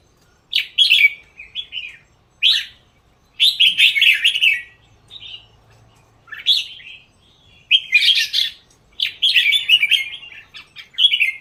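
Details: Red-whiskered bulbul kept for singing contests, delivering short, bright, warbled phrases separated by brief pauses; the phrases are chirpy and fluty, with occasional quieter notes in between and little background noise.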